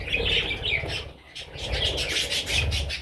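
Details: Parrot chicks producing high, slightly buzzy chirps in two clear bursts separated by a brief lull, over a steady low rustle.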